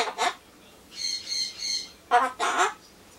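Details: Pet Solomons corella (Ducorps's cockatoo) talking to itself while waiting for pumpkin. Short raspy, voice-like syllables come in two pairs, separated by a soft run of three buzzy, nasal notes.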